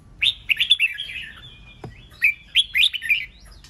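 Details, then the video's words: Red-whiskered bulbul song used to provoke fighting and competition in trained birds: bright warbled phrases around mid-high pitch in two bursts, with a short gap and a soft click between. "Chào mào CHÉ NẸT CỰC SUNG kích bổi căng lửa nhanh ché/ âm kích nghe là đấu,nghe hót,sổ bọng căng lửa"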